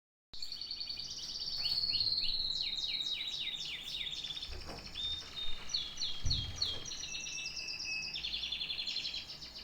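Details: Canary singing: rapid series of downward-sweeping chirps and trills between roughly 2 and 8k, shifting between phrases, with a few low thumps and handling knocks midway.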